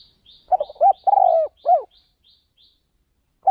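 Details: Decoy spotted dove calling while out luring wild doves in another province. A low cooing phrase of a short stuttered note, a quick coo, a long rolling purr and a final falling coo, with soft high chirps behind and another coo at the end.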